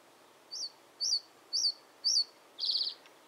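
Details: Reed bunting calling: four sharp, high, chirped notes spaced about half a second apart, each briefly rising then falling, followed by a short buzzy rattling trill; quiet background otherwise.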